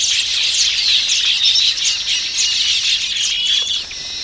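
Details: Massed chattering of Baya weavers at their colony, a continuous high, wheezy, scratchy chorus of many birds calling at once, dropping away just before the end.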